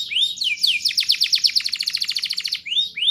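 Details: Canary song meant to get young birds singing: rising whistles open into a fast series of downslurred notes forming a rolling trill, ending with two more upward whistles.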